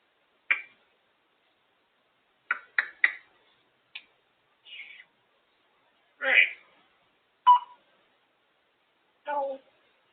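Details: Female African grey parrot perched on top of her cage, making her noises: eight short, varied squawks and whistled chirps scattered irregularly across ten seconds, some sharp and clipped, others rough and drawn out, with quiet gaps between.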